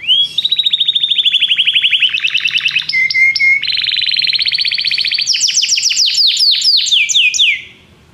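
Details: Belgian canary song: continuous fast high trills changing section every second or so, with steady rattling rolls, a clear whistled stretch, then rising, sweeping repeated notes before it stops.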